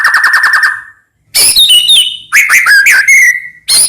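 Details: White-rumped shama in full song, used to trigger other shamas: a quick series of short repeated notes, a pause, then fluid varied whistles dropping and rising, ending in a bright note.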